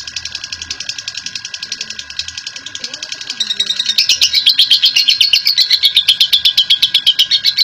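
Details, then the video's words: National champion lovebird's ngekek chatter, a lure to make other lovebirds sing; a softer run of fast scratchy pulses swells after about four seconds into a loud, harsh chatter beating roughly four times a second. "Aksi Ngekek Panjang Burung Love Bird !!! Pemancing Love Bird"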